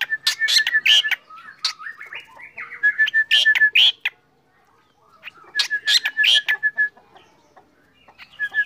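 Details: Black drongo singing in the morning, a lively varied song: runs of clear repeated whistled notes mixed with sharp harsh chirps and buzzy bursts, in phrases separated by short pauses.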